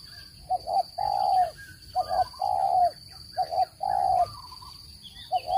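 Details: Spotted dove cooing for bird trapping, a standard voice without noise: soft stuttered double notes followed by a long, mellow low coo, the phrase repeated about four times with short gaps, a faint steady high tone behind.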